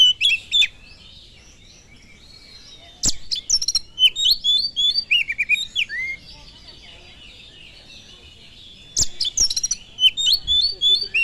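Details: Oriental magpie-robin singing as a provoking lure: bursts of rich whistles, trills and scratchy notes at varying pitch, separated by quiet gaps, with two sharp clicks.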